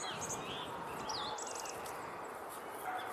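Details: A song thrush sings from a tree by the Speke obelisk: clear whistled phrases and a quick burst of four repeated high notes, half-buried under a steady roar of wind or distant traffic.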